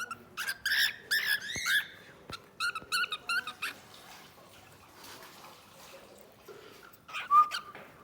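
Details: Cockatiel (Nymphicus hollandicus), song.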